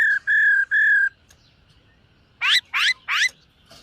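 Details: Morning song practice by a silver-eared laughingthrush, three steady whistles, then after a gap three loud buzzy downslurred notes, with faint background hum.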